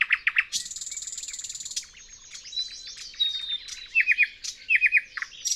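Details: Thrush Nightingale song recorded in spring 2024 with a parabolic microphone: quick, loud repeated notes, then a long dry rattle and scattered clicks, and rapid triple-note bursts near the end. No other sounds.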